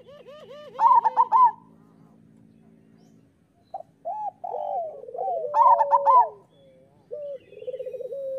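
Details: Local zebra doves singing briskly, used as master song to coax lazy or moulting doves to sing: bursts of loud, bubbly trilled cooing twice, between softer rising hoots and purring rolls, with a steady low hum early on.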